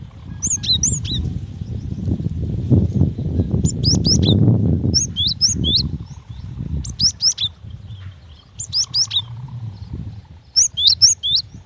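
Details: Cinereous tit, female, calling to a male: short clusters of two to four high, quickly rising chirps recur every few seconds, with heavy low rumbling in the first half.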